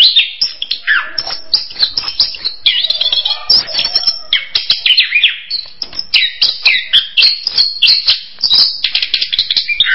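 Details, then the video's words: Dense, fast orange-headed thrush song: continuous high twittering and whistled trills with rapid pitch jumps, barely pausing across ten seconds. "SUARA ANIS KEMBANG"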